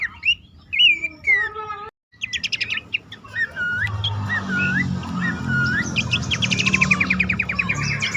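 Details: Bush warbler lure call for caged birds that are stuck or hard to set singing. Curling whistles and buzzy trills sit over steady background hiss and low rumble, with a brief gap of silence early on.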